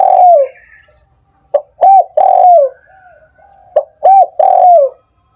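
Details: Spotted dove coo used to stimulate doves slow to call: a long falling coo, then two repeated phrases of a clipped note, a brief coo and a drawn-out descending coo, with soft quieter notes between.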